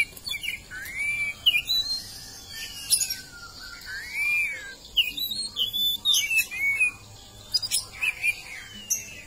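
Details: Oriental magpie-robin song of arched and rising whistles, with buzzy chirps and sharp clicks scattered throughout, over a faint background hiss.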